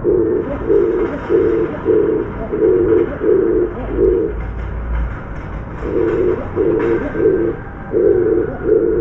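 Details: Oriental Turtle Dove on an outdoor bar bobbing up and down in a courtship display: loud low hollow cooing notes in steady short pulses, about one and a half per second, grouped in runs with brief pauses.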